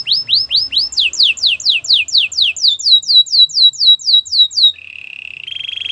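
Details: Belgian canary singing indoors: a rapid series of high downward-sweeping whistled notes, about two per second, shifting to a faster sweep, then ending in two sustained steady tones, the second slightly higher.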